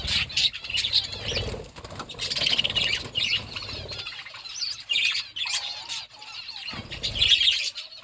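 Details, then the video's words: Parakeet squawky chatter while eating fruit: looping, warbled high chirps and rough squawks in uneven bursts, with soft lower bleating notes and scattered feeding clicks. "Parakeet eating fruit and chirping sounds"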